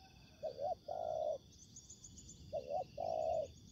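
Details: Spotted dove calling during ground trapping, where a veteran decoy meets fighting wild doves: two phrases of a double short coo then a long, even, mellow hoot, with constant shrill insects in the background.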